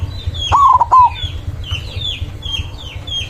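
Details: White zebra dove calling rivals with one loud, rolling coo phrase broken into quick stuttering notes. Faint twittering of other birds follows.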